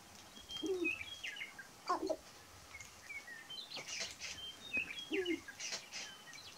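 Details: Sharp-tailed grouse displaying on a lek in Burwell, Nebraska, March 29, 2018: low, hollow coos about every two seconds, mixed with quick higher chirps and clucks.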